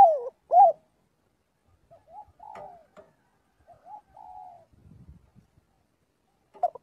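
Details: Spotted dove calling the flock during daily voice training: two loud mellow coos open the recording, followed by softer, broken cooing notes, a low rustle, and a final short coo after a pause.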